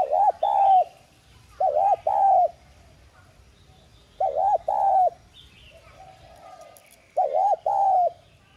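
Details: Cooing of a lure spotted dove with the prized 'giọng son' voice, played to make other doves sing. Four clear phrases, each a quick double coo and a drawn-out hoot, repeated about every two to three seconds.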